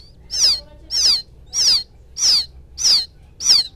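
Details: Quail chick from the rice fields calling for its mother, used as a lure sound: six high, thin descending peeps, evenly spaced about every 0.6 seconds, over a quiet low hum.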